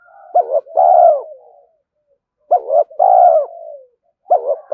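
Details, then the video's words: Spotted dove calling in the rapid 'thúc gù' style to provoke other doves: a short hollow note and a long loud falling coo, repeated about every two seconds, with a trailing soft note after each phrase. "Tiếng cu gáy thúc gù tốc độ/ cu gay kich boi nhanh noi gù"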